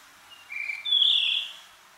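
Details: Blue Rock Thrush, a wild bird of Japan's fields, grasslands and watersides, giving a short clear whistled phrase: a brief soft note, then a level whistle and a louder, fuller warbled note lasting about half a second, over quiet background.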